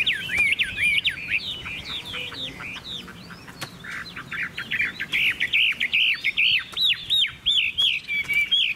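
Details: Chinese hwamei singing: a long run of loud, varied whistled notes, slurred up and down and repeated rapidly, with rich tumbling phrases throughout.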